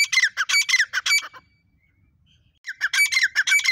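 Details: Female grey francolin, locally called teeter, uttering harsh repeated squawks in a rapid burst, falling silent for over a second, then starting the grating series again.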